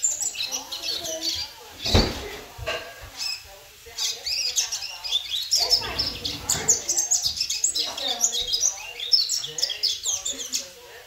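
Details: Ten-month-old young double-collared seedeater kept in the United States, singing rapid high chirps and twittering phrases in a near-continuous run, with a man talking over much of the song.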